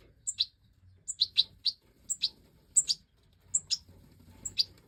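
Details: European goldfinch (Major), from 2024 breeding footage: crisp, high tweets repeated in small clusters about once a second, each a sharp thin note dropping into a brighter twitter, over a quiet background.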